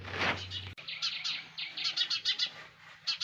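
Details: A brief rustling burst opens, then nest-bound sparrow chicks take over with quick, thin, rasping cheeps repeated in tight series.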